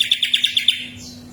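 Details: Greater green leafbird singing to prompt another bird to sing: a quick run of six evenly spaced, sharp high chirps, then a soft fading whistle, with a low constant hum behind.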